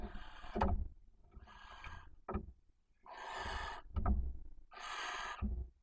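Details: Wild barn owl pair at their nest box in Cabañeros National Park during the mating period. The submissive female calls insistently for the male. Rasping hissed screeches alternate with sharp knocks and thuds from inside the box.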